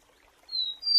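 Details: Rufous-collared sparrow giving two pure, sustained high whistles, the second slightly higher than the first, in a quiet setting.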